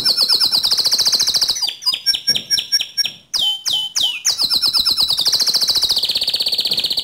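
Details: Energetic canary song in the 'ngerol nembak' style, meant to provoke another canary to sing: a loud high rolling trill, choppy notes and sharp whistles, then another long trill.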